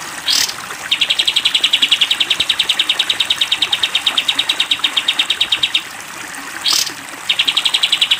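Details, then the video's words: Long 'tembak panjang' trill of sooty-headed bulbul from a cage-bird training recording: a brief upward whistle introduces a five-second run of rapid, ringing high pulses, then another whistle and the trill starting again. "masteran kapas tembak panjang"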